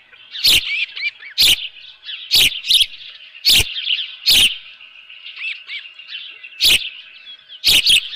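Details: Osprey at the nest holding a live fish, 7:32 AM on 24 June 2018, uttering high rising-and-falling whistled chirps, with heavy cracking noises roughly once a second.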